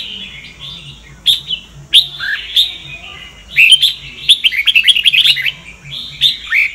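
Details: Red-whiskered bulbul of the Sông Kon type, kept as a songbird and singing for voice training: scattered whistled notes and sharp clicks build into a rapid run of chirping, trilled notes, then more slurred whistles.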